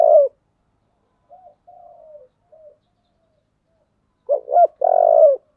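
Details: Spotted dove in the 'giọng thổ' song style: a few soft, low trailing coos after a pause, then a loud phrase of two quick arched notes and a drawn-out, vibrating, gently falling coo.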